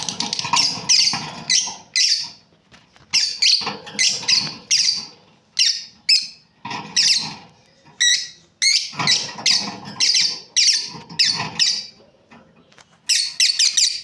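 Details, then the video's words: Lovebird breeding pair kept as pets, chirping: dense bursts of shrill, harsh high chirps in quick runs, with short pauses between clusters; faint low background hum. "Beautiful lovebirds chirping sounds | Amazing breeding pair"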